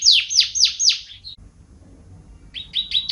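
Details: White-rumped shama song used for training contest birds: three loud descending whistled sweeps in quick succession, a short note, a pause with low rumble, then a run of repeated bright chirps.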